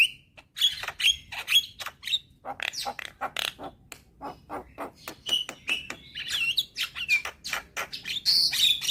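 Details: Full, busy singing of a young Javan myna used as a lure for birds that will not sing: dense rapid clicks and chirps, harsh rasping notes and scattered thin whistles, growing louder toward the end.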